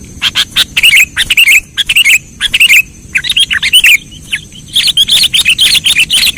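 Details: Sooty-headed bulbul call for luring birds into traps: dense, lively sequences of bubbly, gurgling chirps in quick clusters, briefly pausing near the middle before resuming even busier chatter.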